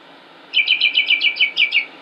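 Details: Male northern mockingbird in Concord, North Carolina, May 2016, repeating one bright, slurred falling note about eight times in quick, even succession, roughly four per second.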